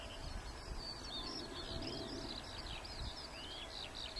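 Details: Eurasian skylarks singing at Warfield on 1 May 2013: a continuous high, fast warbling of chirps, trills and upslurred whistles from several birds, over steady low wind rumble in open country.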